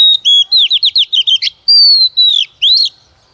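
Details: Female white-rumped shama kept as a decoy to stimulate males into singing, delivering loud high whistles: a quick run of slurred, bouncing notes followed by a long, slightly falling whistle and a final upswept phrase, on a quiet background.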